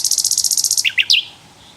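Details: Javan flycatcher in the wild gives a rapid run of about fifteen high, evenly spaced notes, then three lower slurred chirps before fading.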